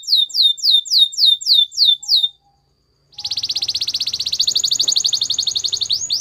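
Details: Canary song for song training: several high, falling whistled sweeps, a brief silence, then a long, very fast, buzzy roll of pulsed notes that rises slightly near the end.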